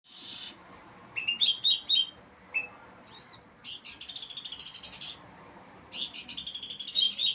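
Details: Bar-winged prinia singing energetically: bursts of high, buzzy, rapidly repeated chirps and short trills, each lasting about half a second, separated by brief pauses, with a thin whistled note near the start.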